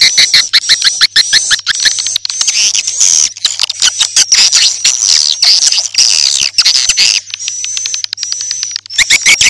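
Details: Edible-nest swiftlet lure for a new swiftlet house, morning, noon and night: steady stream of squeaky chirps and twitters under a thin constant high tone.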